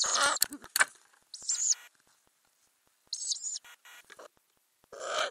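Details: Inside a Ural owl nest box with growing owlets in May 2020: loud, rough hissing calls in bursts, separated by quiet gaps with scratching and knocking sounds.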